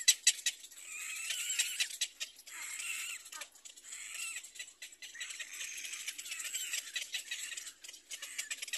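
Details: Little black cormorant chicks at a nest beg noisily for food from their mother, a near-continuous chatter of high, scratchy squeaks and rapid clicks with brief pauses.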